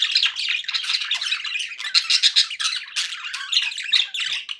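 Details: Happy budgies produce a steady, energetic chatter of scratchy chirps and harsh little squawks, loud pulses recurring throughout without a break.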